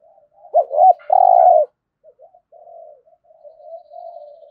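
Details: Spotted dove delivering 'thổ'-voice cooing meant to get newly caught birds calling fast: two looping notes and a long loud vibrating coo early, followed by quiet low coos after a short pause.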